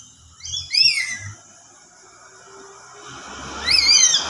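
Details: Lory lure call: soft, swirling yet shrill, harmonic screeches in two short bursts, used to provoke other lories into answering.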